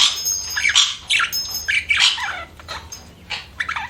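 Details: Budgerigar chirping: squawky, warbling bursts with a few whistled glides, delivered in uneven groups with short gaps, quieter toward the end.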